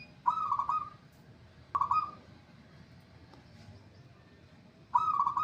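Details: Singing zebra dove, noted as now in full voice, delivers three separate soft trilled cooing phrases, the second short, with long quiet pauses between them and a faint background hum.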